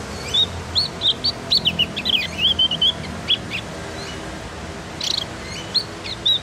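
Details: Javan white-eye learning sounds sings a lively run of high whistled notes and quick slurred chirps, many short phrases in rapid succession, then a brief pause and renewed chirping over faint low hum.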